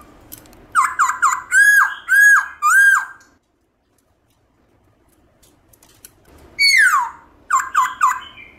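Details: A black-throated laughingthrush (Garrulax chinensis) sings a wild-type song of loud, ringing whistled phrases with sharp down-slurred notes, a burst of about six, a pause, then another rapid series, used to stimulate captive laughingthrushes to sing.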